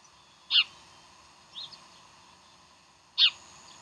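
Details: Bald eagle at Decorah, 15 January 2012 in the morning, gives a loud high squeal, a faint softer note a second later, then another shrill squeal about two and a half seconds after the first; steady hiss underneath.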